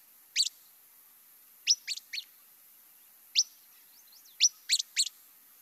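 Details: Least Flycatcher (Empidonax minimus) giving sharp, high, whistly whit calls, single or in quick pairs and triplets, at irregular intervals a second or so apart; nothing else is heard.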